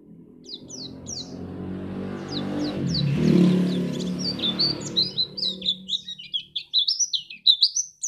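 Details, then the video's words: White-eye from Pacitan, Indonesia, played so other birds sing for contests: high chirps and slurred whistles over a steady low rumbling hum for five seconds, then clearer rapid varied notes with short gaps. "pleci ini bisa membuat burung mu gacor"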